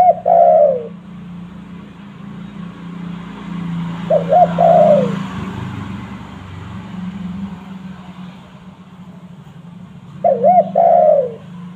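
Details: Spotted dove cooing to draw in wild doves. Three low mellow phrases, roughly every five seconds, each of quick coos and a falling drawl, over a constant humming background and passing vehicle-like noise.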